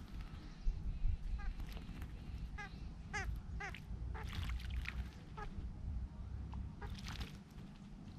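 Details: Several Large grey babblers bathing give nasal, quacking notes in short uneven bursts over a steady low rumble and splashing water.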